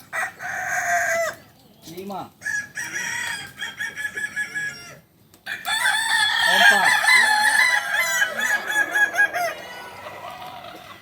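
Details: Kukuak balenggek roosters at a crowing practice contest in Panyakalan, Solok. Long, harmonic-rich crows overlap with several birds calling at once, broken by short pauses, and people's voices are audible underneath.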